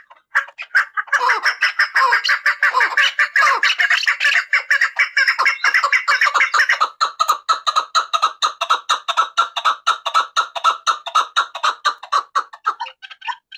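A chukar partridge gives a long, fast run of harsh, clucking chuk notes, at first a dense rolling chatter, then steadier, evenly spaced notes several per second.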